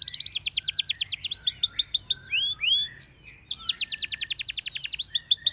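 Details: Singing canary giving long rapid trills of descending notes, a pair of rising whistles and a steady whistled note in the middle, then another extended fast roll.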